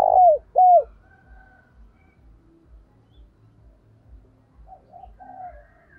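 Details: Spotted dove, a decoy bird, cooing to call in wild doves. Two loud, short, arched coos open the recording. Steady low rhythmic thumping follows, with softer, wavering coos returning near the end.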